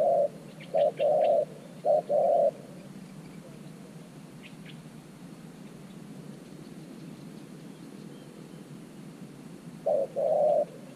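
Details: Decoy spotted dove used to lure wild doves to an earthen trap cage: a few low coos, each a short note then a longer one, at the start and again near the end, with quiet background between.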